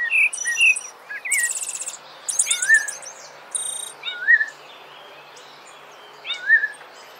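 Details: Rufous-bellied thrush (sabiá-laranjeira) song, offered for training birds: short whistled notes near the start, then slurred whistles repeated every one to two seconds, mixed with high buzzy chattering bursts from another bird.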